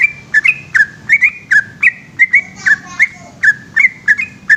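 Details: Night-time ropel song of a yellow-vented bulbul: bubbly, slurred whistles repeated quickly and unevenly, each note dipping or rising, with a brief softer warble midway over quiet low rumble.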